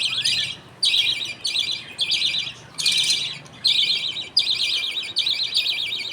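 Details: Budgerigars in a happy colony at feeding time as the father feeds millet paste to two chicks while the mother watches; harsh, buzzy high bursts repeat roughly every second, about seven in a row, in a quiet room.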